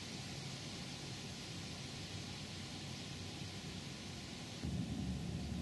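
Steady broadband rumble and hiss like rain or distant thunder, with no animal calls; the noise swells slightly louder near the end.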